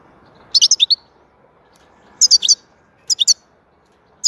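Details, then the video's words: Lively goldfinch song: clear bursts of rapid, high, sparkling twitter notes, each phrase a quick cluster of four to six chirps, separated by short silences against a clean, quiet background. "Huzur verici saka sesi mūkemel"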